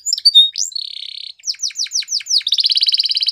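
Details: Canary singing short whistles, a buzzy held note, a series of down-slurred notes, then a fast even trill.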